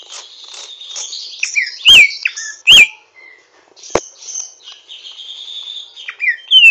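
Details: Greater green leafbird (Chloropsis sonnerati) practising its song with rough twittering: scratchy chattering notes broken by sharp clicks, upward whistled slurs and a thin sustained whistle near the end.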